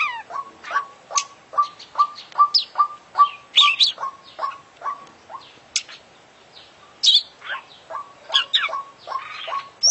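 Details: Champion oriental magpie-robin (kacer), singing constantly with a song full of imitated phrases: quick repeated mid-pitched chips, roughly two or three a second, mixed with occasional brighter, higher squeaks.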